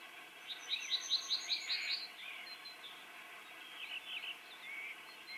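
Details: Alarmed common whitethroat uttering a rapid series of about six sharp, buzzy notes, followed by scattered softer harsh calls over faint continuous background noise.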